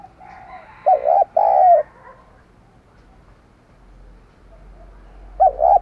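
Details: A spotted dove kept as a decoy coos to attract wild doves. Soft murmurs lead into a doubled note and a long coo, then a quiet gap. A final doubled note closes the phrase.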